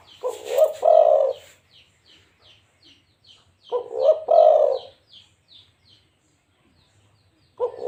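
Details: Local zebra dove cooing in short, rolling, staccato bursts, each a stuttering run of soft low notes. Two phrases come about three and a half seconds apart, with a series of faint high chirps from another bird between them.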